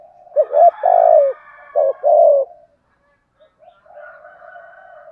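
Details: Spotted dove lure coo, 'giọng thổ' style, played to make wild doves coo in reply. Low cooing notes come in quick pairs, a short note then a longer one, repeated twice, followed by softer, more distant cooing.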